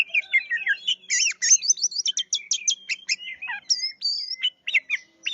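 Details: Kacer, the oriental magpie-robin, singing energetically in 'gacor' style: fast, tumbling phrases of bright whistles, slurred rising and falling notes and clipped chips, packed densely with barely a break.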